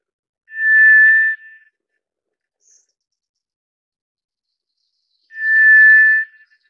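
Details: Two long monotone whistles from a White's thrush, each close to a second and held at a steady pitch, spaced about four and a half seconds apart in silence.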